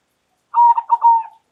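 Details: A local zebra dove gives one loud, lively cooing phrase, an opening note followed by two rapid stutters and a long even coo that sags a little in pitch before stopping abruptly; nothing else is audible.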